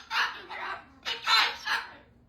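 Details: A pet cockatoo indoors, upset by strong wind of about 40 mph outside, gives five harsh, raspy squawks in quick bursts, some drawn out and grating, in a quiet room.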